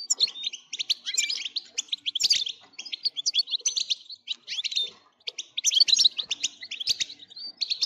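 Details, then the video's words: Nearly unbroken goldfinch song to excite other birds into singing: fast, metallic twittering and jingling phrases, with only a brief gap near five seconds. "لتهييج الحسون ستجعله يغرد من دووون انقطاع"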